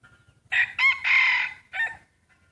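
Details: Breeding rooster in a crowing contest gives a full crow: two short rising syllables, a long strained held note, then a separate short closing note, with faint low murmuring beneath.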